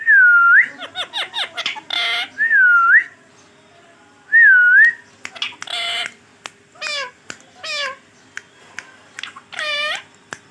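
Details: Green ringneck parrot kept as a pet, talking indoors: three dipping whistled phrases between bursts of rapid speech-like chatter, downward-sliding squeaks and a loud harsh squawk.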